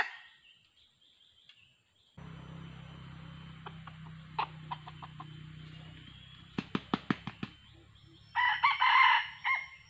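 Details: Yellow-feathered wild red junglefowl at a decoy trapping site, a male arriving together with a hen. After low steady hum and a run of sharp clicks, a short, loud, rasping crow sounds near the end.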